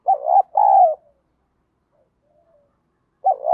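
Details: Spotted dove in field-style voice, cooing as a lure to provoke rival doves to fight; two mellow, low hooting notes, the second longer, then a pause before the next phrase begins.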